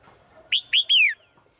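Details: A female bird calls out to a male in the forest, giving three ringing high notes, the final one longest and dropping in pitch, in a quiet setting.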